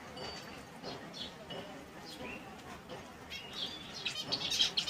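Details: Finches of various species in their natural habitat, giving scattered thin high chirps and short trills over low background noise, growing busier and louder toward the end.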